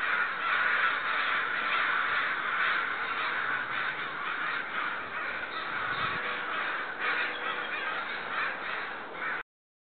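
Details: Loud, sustained cawing from neighborhood crows that seem agitated or upset. Rasping caws pile up in a thick chorus for about nine seconds, then stop abruptly.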